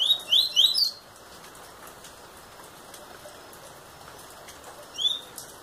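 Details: Young double-collared seedeater, eight months old, opens with three fast rising whistled notes, falls silent for several seconds, then adds one more upslurred whistle.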